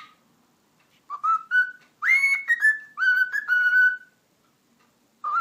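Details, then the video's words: Whistled tune by a pet cockatiel known for saying "eşek sıpası": a few lower notes lead into a long, loud held whistle that slides gently downward, followed by level notes and silence. "Sultan Papağanı Konuşması - Eşek Sıpası Diyor"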